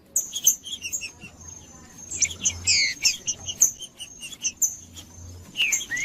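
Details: Green-winged saltator singing, used to stimulate other saltators to sing: short slurred whistles and sharp high chirps in quick, uneven bursts, with a steady thin high tone running underneath.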